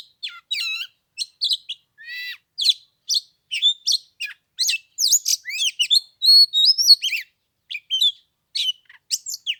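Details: Oriental magpie-robin at the Lunar New Year, about 15 degrees cold, pouring out varied song: buzzy trills, clear rising and falling whistles and a sustained warbled passage near the middle.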